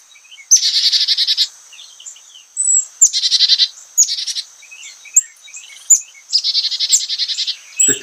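Carolina Chickadee giving three chick-a-dee calls: high, thin chip notes followed by a short run of raspy, buzzy dee notes, with a few scattered high chips between.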